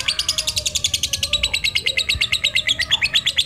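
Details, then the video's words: Lutino lovebird, black-eyed, chattering in the ngekek style to lure and stimulate other lovebirds: a steady, rapid series of sharp, high, buzzy chirps, evenly paced throughout, with faint lower bird notes behind. "Senang Lovebird Lutino Mata Hitam - Pancingan lovebird ngekek"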